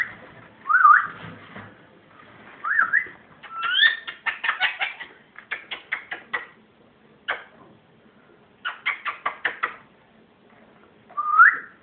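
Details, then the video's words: Pet ringneck parrot laughing in short spaced bursts: a few squeaky rising whistles, then quick rhythmic runs of harsh chattering notes separated by short pauses, in a quiet room. "ringneck parrot laughing crazy"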